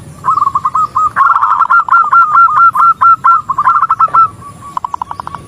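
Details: Zebra dove, a female calling to a male, delivering a long continuous string of quick, even coo notes, slowing and softening into a few spaced notes at the end.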